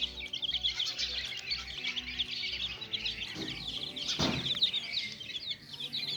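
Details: Little chicks playing: continuous soft high cheeping from many birds, one sudden louder rustle or flutter partway through, over a low rhythmic pulse.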